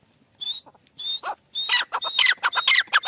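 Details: Francolin calling: after a couple of high thin whistled notes, a burst of harsh, rapid, ringing notes with whistled overtones follows, repeated about twice a second.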